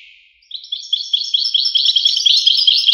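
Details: European goldfinch singing a rapid, twittering song that starts after a brief pause, with dense chirps and trills repeated quickly and steadily, all high-pitched and clean against a quiet background.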